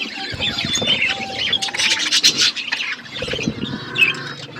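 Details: Several budgies eating, giving dense chattering chirps with short squeaky whistles, plus scattered soft clicks and low knocks.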